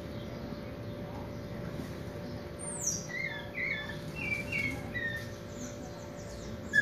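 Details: Caged Chopi blackbird practising its song: a high descending whistle followed by a series of short, clear whistled notes around mid-high pitch, with a steady low hum underneath.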